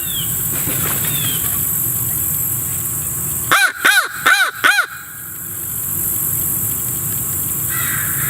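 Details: Raven caws: four hoarse, arched, strongly harmonic calls given in quick succession over about a second and a half, against a steady hiss of background noise.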